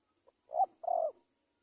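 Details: Spotted dove giving a brief, soft, low coo: a faint pip, then two mellow hooting notes, the second longer and steady, in a quiet setting.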